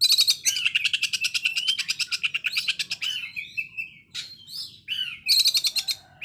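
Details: Loud, rough konslet bursts from an Oriental magpie-robin, rattling like a sewing machine. A long, fast, evenly pulsed rattle runs for about three seconds, followed by slurred whistles and another rattle.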